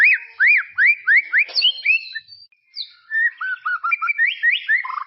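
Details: White-rumped shama from tropical forest singing, offered as master song for juveniles: repeated arched whistled phrases, a brief pause, then quicker mixed whistles and chips.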